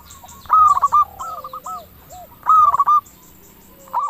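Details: Local zebra dove singing in 'crystal' voice style, used as a lure to get other zebra doves answering quickly. Two loud stuttered cooing phrases two seconds apart, softer rolling coos between them, and faint high chirps in the background.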